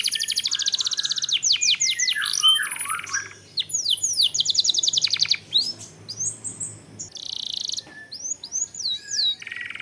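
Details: Domestic canary singing a long-duration rolling song played to provoke caged birds into song: fast trains of high downward-sweeping notes, buzzy rattling bursts, and scattered thin whistles, all crisp and continuous.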